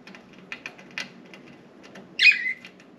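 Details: Pet budgerigars out of their cage indoors, four birds perching on window blinds and flying around; light tapping and scratching clicks, then one loud harsh grating chirp that trails downward, in a small quiet room.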